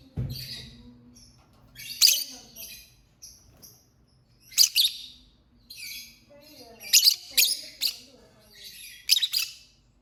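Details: Lovebird singing and chirping: a long run of high, harsh, squeaky chirps and clicks, some in rapid clusters, with softer twittering between louder bursts and a low thump at the start.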